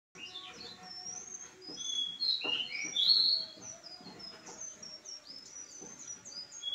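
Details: Pied bushchat (decu) singing busily: rapid high, thin chirps and short whistled notes overlapping densely, with a louder burst of sharp notes near three seconds and steady faint chirping throughout.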